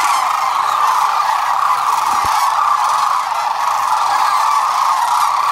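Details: Sandhill cranes massed at Whitewater Draw, some 12,000 birds, recorded February 19, 2021. Constant chorus of overlapping rattling trumpet calls from the flock, with a brief sharp knock midway.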